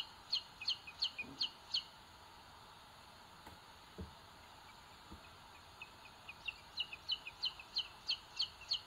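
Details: Nest of booted eagle chicks on a live camera in Sierra de Guadarrama National Park, Spain, 2022, the bigger chick pecking its small sibling; bursts of sharp high cheeps at start and end around a quieter gap with faint knocks.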